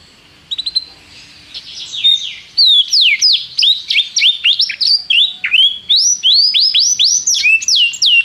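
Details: Canary singing a tutor song meant for training a young canary: rapid series of bright whistled, downward-sweeping notes, trilled in quick repeated phrases with brief pauses, starting softly then continuing loud and steady, no other sounds clear.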